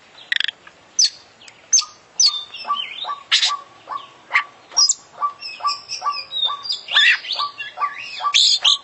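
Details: Full isian song of a champion oriental magpie-robin (kacer) in lively, nonstop voice: varied sharp high chirps and slurred whistles mixed with a regular beat of short low ticks, getting denser toward the end.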